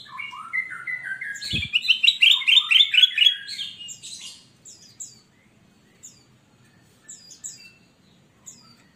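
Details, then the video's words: Kutilang emas bulbul in loud song for training newly bought cage birds that rarely sing; a rapid rolling run of bright, warbled notes at about two per second, then sparse thin high chirps. "Burung kutilang Emas Gacor buat masteran burung bahan Ombyokan yang Malas Bunyi"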